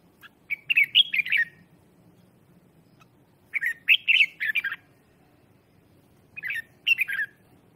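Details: Lure red-whiskered bulbul singing to attract wild birds: three chattering phrases of quick, bright, slurred whistles, repeated roughly every three seconds, with a quiet background.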